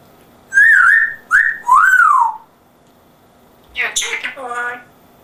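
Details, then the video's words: Pet African grey parrot with an English accent, imitating speech: three loud whistled, voice-like phrases rising and falling, a short pause, then a harsher rasping, squawky burst. "English Accent African Grey. Amazing voice!"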